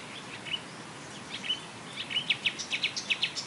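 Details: Wild Marsh warbler on a railway embankment at Bernau-Friedenstal in May 2013, singing in imitation of tits, blackbird, lark, goldfinch and starling: faint, high notes turning into a quick series of repeated sharp chips over a strong noise hiss.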